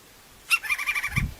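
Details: Crimson-crested woodpecker in the wild: one sharp harsh note followed by a quick, buzzy rattle of evenly spaced notes lasting under a second. A low thump comes at the end.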